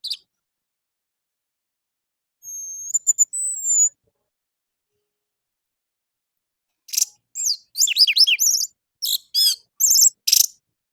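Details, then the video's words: Morning song of an orange-headed thrush, used as a lure for captive birds: thin high sustained whistles, a long silence, then a rich jumble of rapid varied chirps, trills and slurred notes. "PANCINGAN ANIS MERAH DI PAGI HARI"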